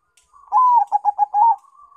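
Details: Crossbred Bangkok and local zebra dove song used as a lure: one cooing phrase, starting with a sustained slightly falling note, then three rapid clipped coos and a held final coo, ending in a soft trailing hum.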